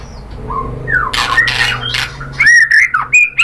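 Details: White-rumped shama song used as a lure to stir another shama into singing: rough squawking bursts and noisy rasps, then bright whistled notes sliding up and down near the end.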